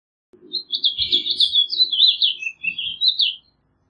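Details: Haemorhous mexicanus singing one rich, rolling phrase of fast twittered notes for about three seconds, with soft low thumps and rustling underneath.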